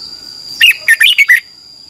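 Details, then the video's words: Red-whiskered bulbul morning lure song for training a wild-caught bird: a single brief phrase of five quick, bright, rising-and-falling whistled notes against a faint steady whine. "Luyện chào mào hót sáng, QUÁ HAY - CHÉ KÍCH BỔI CĂNG ĐÉT, luyện chào mào bổi hót căng lửa"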